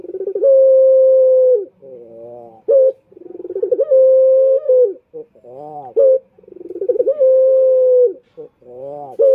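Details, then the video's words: Indonesian male turtle dove (puter) calling to draw in rival males: stuttering pulses swelling into long even hooting coos, with short warbled notes between, three cycles in quick succession. "Pancingan Puter Jantan"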